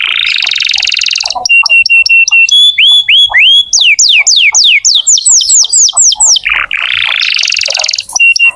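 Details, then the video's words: Canary singing vigorously, a recording meant to coax young or silent canaries into song: buzzy rolled trills, a run of repeated clear whistles, then rapid descending sweeps in quick succession, ending in another rattling roll. "Kenari gacor untuk pancingan kenari muda atau macet bunyi"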